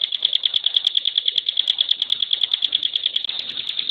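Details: Rapid-fire 'tembakan' song of a caged Bar-winged Prinia, called ciblek gunung: a steady, very fast trill of identical piercing high notes, about eight per second, with no pauses.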